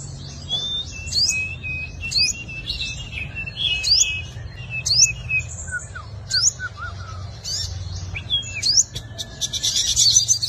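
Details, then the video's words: Fighting song of a five-coloured sunbird used for luring wild birds: sharp high upslurs repeated about once a second over thin lower twitters, finishing in a dense high buzz. "Tiếng chim hút mật 5 màu dùng đi mồi đánh bổi - Tiếng chim hút mật 5 màu hót đấu"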